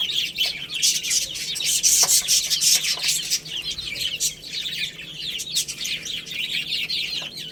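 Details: Baby chickens playing and eating, a crowd of high, thin peeping chirps overlapping rapidly and continuously, with no pauses and no other clear sounds.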